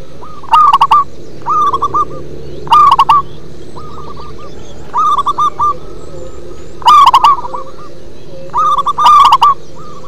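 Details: Bass-toned song of a local zebra dove: about eight short bursts of fast, bubbling coo notes in ten seconds, some much louder and rougher than others, over a faint steady murmur.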